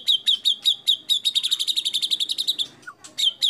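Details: White-rumped shama lure song: a rapid, even string of sharp high chips about six per second, followed by a brief low note and a few more chips.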